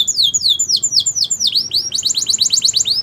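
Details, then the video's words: Yellow Belgian canary song outdoors: rapid series of high falling notes, a brief V-shaped dip, then a fast rhythmic roll of short arched chirps. "Yellow Canary Singing In The Wild | Belgian Canary Song"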